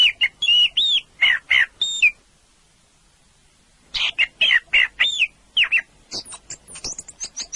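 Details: Orange-headed thrush singing two loud phrases of fluty, down-slurred whistles and quick chirps, separated by a two-second pause, the second phrase ending in thin, very high twittering notes.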